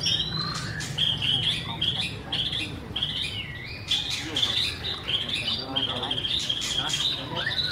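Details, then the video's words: White-rumped shama singing a run of high repeated whistled notes at a steady pitch, with chirps and short trills mixed in, over constant low hum. "BIRD SINGING| Bird White-rumped shama - Beautiful Birds,Dancing And Singing Chirping Sounds Great"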